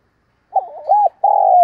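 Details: Spotted dove acting as a decoy to attract wild birds. A short burst of its call: a wavering, rolling low coo, then a sustained buzzy note that slides gently down.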